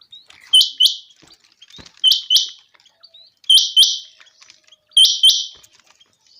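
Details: Chinga quail (batair) calling on a sunny, clear day: four loud bursts, each a pair of buzzy, high notes with a sharp click at the start, repeated roughly every one and a half seconds. Faint ticks sound between them.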